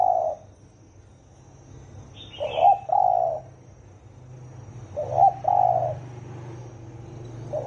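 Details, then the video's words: Spotted dove cooing in the deep 'thổ ồm' manner meant to provoke wild doves: repeated two-part hollow coos, short note then sustained low tone, every two to three seconds, with one brief high chirp from another bird and low hum. "Tiếng chim cu gáy thổ ồm kích thổ đồng siêu tốc lên cực nhanh"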